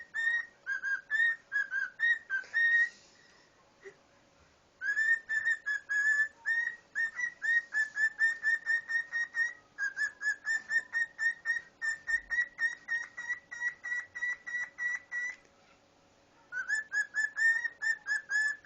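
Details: A pet male cockatiel whistles a rapid run of clear, bright notes with pauses between tuneful phrases, singing remixed tunes such as Star Wars and The Addams Family while displaying to a person's toes.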